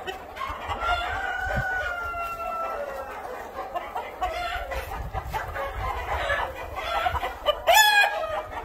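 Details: Cream Legbar chickens kept in a hatchery pen: a long, slightly falling nasal call stretches over two seconds, then a flock of birds answers with rapid clucks and short notes, ending with a sharp broadband clatter near the close.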